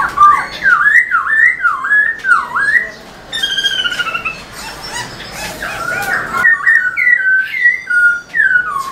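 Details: Black-throated laughingthrush singing hard while dancing its tail, used to excite caged laughingthrushes: bouncy dipping whistles about twice a second, a harsher chattered middle section, then clear descending whistled notes.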